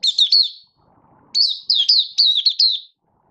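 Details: Two loud bursts of fast, high warbled twitters, each lasting about a second, from a caged Oriental white-eye (Malaysian Mata Puteh) singing 'buka sing' while being trained into form, 1 August 2023.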